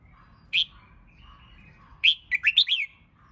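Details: A single bright whistled note from a red-whiskered bulbul under competition singing training, followed after a pause by a brisk warbling phrase of five liquid, up-and-down notes.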